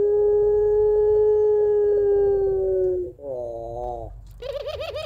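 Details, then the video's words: Caged puter pelung dove kept at home, its long crying song used as a lure for other doves: a steady low hooting tone held for three seconds, then a wavering, quavering two-part coo, and a higher tremulous phrase at the end. "Puter Pelung Gacor Suara Menangis Panjang Kuwok 2 Not Sangat Cocok Buat Pancingan Puter Dirumah"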